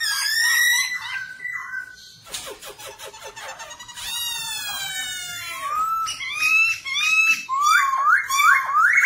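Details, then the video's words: Black-throated laughingthrush singing while displaying, used as a training recording to get wild-caught birds to sing: loud, clear whistled phrases swooping up and down, broken by harsh rattling chatter, then rich rising whistles. "KHƯỚU BẠC MÁ VỪA HÓT VỪA MÚA"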